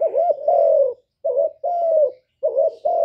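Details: Loud cooing of a spotted dove recorded to stimulate kept birds; deep mellow phrases, a quick wavering note joined to a long level coo, repeated after short pauses.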